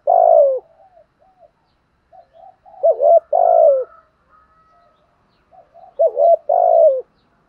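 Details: Spotted dove singing in the 'giọng thổ' style to provoke other doves: a falling coo, soft murmured notes, then two deep phrases of paired hoots and a long drawn, descending coo.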